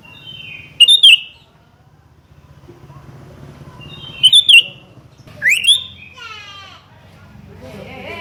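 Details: Sooty-headed bulbul calling out a rival: three bubbly, gurgling note groups a few seconds apart, then a sharp rising whistle and a series of quick descending ticks over a low rumbling background.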